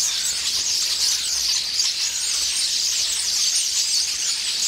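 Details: A crowd of common starlings quarrels while feeding on pears in a tree. Steady, thick babble of squealing and wheezy whistles with no pauses.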